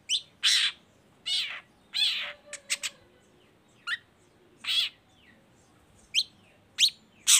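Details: Long-tailed shrike song played as a lure to get other shrikes to sing along: loud harsh buzzy bursts mixed with quick sharp downslurred chips, uneven in rhythm.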